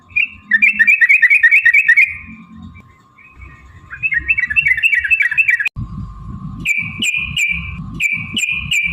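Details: Yellow-vented bulbul singing in long chattering runs, used as a lure to spur other bulbuls into song and fighting: rapid repeated bubbly notes in bursts, then clear drawn-out whistled phrases, with a steady hum and low rumbling noise.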